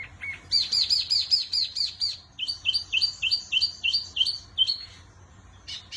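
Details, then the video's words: Energetic wambi song opening with a short low note, then a quick train of high chirps, followed by evenly spaced downward-sliding whistles about four per second before a pause and a final burst. "Burung Wambi Mini Gacor Kicau Terbaik"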